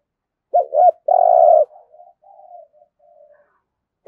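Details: Single spotted dove phrase in the thổ style used for stimulating cooing: two bouncing notes, a long low coo, then trailing soft murmurs and the start of the next phrase.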